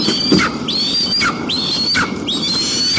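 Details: White-tailed eagle at its nest in Almetyevsk region, Tatarstan, Russia, on a windy afternoon, 1 September 2022, during a family visit, gives thin, high, drawn-out whistles ending in a downward slur, about one a second, over a low background rush.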